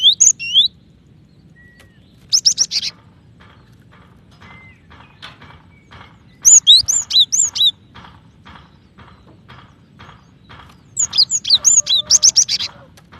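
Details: Calling female cinereous tit, said to speed up other tits' singing. Bursts of high, sharp, rapid whistled notes come every few seconds, with scattered soft ticks between them and a low steady hum underneath.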